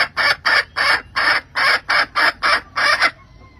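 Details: End-of-season call of a hen summoning the rooster, given as eight loud, broad, rasping clucks at an even quick pace, then sudden quiet.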